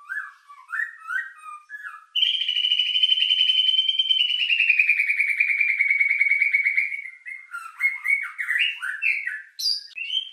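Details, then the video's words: White-rumped shama lure song with rich fill, aimed at stirring emotion and breeding drive: jumbled whistles open into a long, rapid, steady trill that slowly drops in pitch for about five seconds, then varied chattering phrases. "Pancingan murai batu isian mewah mendongkrak emosi&birahi"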